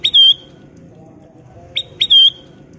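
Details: Golden-coloured sooty-headed bulbul singing persistently, a lure for prompting other birds to sing: two brief phrases, each a short note followed by a bright sustained whistle, about two seconds apart over a steady low hum.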